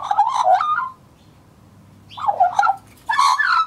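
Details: Young male Australian magpie, a scruffy juvenile in 2014, warbling in three loud bursts of mixed fluty, gargled and harsh notes separated by short pauses, the last burst rich and scratchy.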